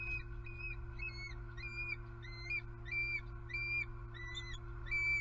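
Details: Bald eagle pair at their Southwest Florida nest with two eaglets, very vocal and on high alert after an owl struck the female. High, thin chirping notes, each slightly rising, repeated about eight times in five seconds over a steady low hum.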